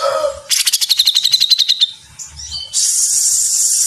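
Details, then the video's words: Grey-cheeked bulbul in lively, dense 'mesetan' song used to train cage birds: a fast pulsed buzzy trill for over a second, a few short whistled slurs, then a sustained harsh hiss. "Masteran Cucak Jenggot Gacor Mesetan Rapat"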